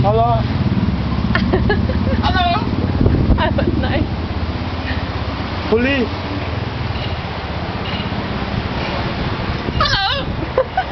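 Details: Talking parrot on Naxos, Greece. A few short, voice-like utterances with strongly bending, rising and falling tones are separated by pauses, over steady engine rumble and traffic noise.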